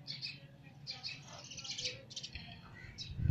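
A young sparrow gives quick, high, scratchy cheeps in short bursts, several each second. A low indoor rumble sits underneath, with a thump at the end.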